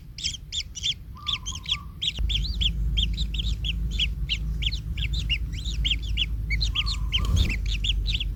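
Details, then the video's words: Kingfisher babies in a nest as the parent steps on one, causing pain: fast, scratchy, slightly rising notes repeated in a busy chorus, a thin steady hum at times, and a deep rumble from early on. "Anak Tengkek Terinjak Induknya Hingga Kesakitan - Baby Kingfisher bird nest"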